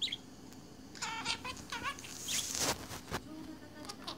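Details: Budgerigar absorbed in itself, giving a few rapid stacked warbling syllables, then a burst of scratchy noisy sound and clicks, with a faint low hum throughout.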